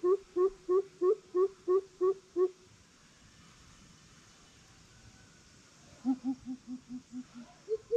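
Greater coucal giving deep, hollow booming hoots, about eight in a quick even run, then a second fainter series after a pause.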